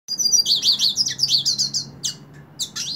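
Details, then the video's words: A Hooded siskin held in a hand sings a loud, lively twittering phrase of high warbled slurs that rise and fall quickly, ending in sharper chirps and upward sweeps. "Cabecita Negra Canta En La Mano / Pintassilgo Cante Na Mão"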